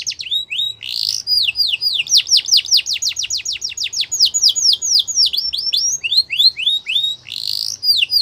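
A Yorkshire canary sings a fast, unbroken run of high, bright whistled notes, many sweeping downward, rolling into rapid trills and chirps.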